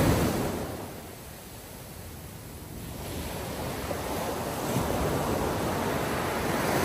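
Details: Ocean surf rolls in broad swelling waves with wind across the microphone at sunrise, and no animal calls stand out.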